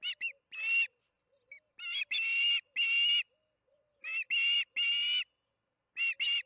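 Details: Osprey calling during evening feeding at the Charlo nest, June 21, 2019, 8:15 pm MDT: short chips leading into drawn-out shrill whistles in clusters, with a quiet low droning hum underneath.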